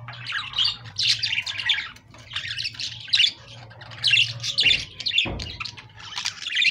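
Budgerigars chatter in bursts of scratchy, warbling chirps and squawks, high-pitched and nearly continuous.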